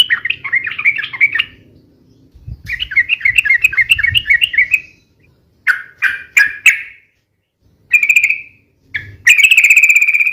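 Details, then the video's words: Sooty-headed bulbul, long rapid song for luring and tutoring: warbled bubbling phrases, a set of separate sharp notes, then a steady buzzy trill at the end, with some low thumping. "SUARA BURUNG TRUCUKAN RIBUT UNTUK PIKAT DAN MASTERAN ,SUARANYA ROPEL DAN PANJANG"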